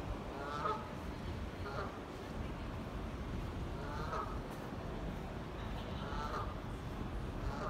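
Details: Canada geese honking at Tib Lock in Manchester, September 2018: short nasal honks at irregular intervals, partly masked by constant low-pitched rumble.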